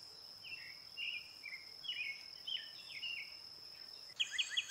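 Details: Brown-headed cowbird: repeated short down-slurred whistles in steady sequence, then an abrupt loud rapid chattering rattle at the end, over a persistent high insect drone.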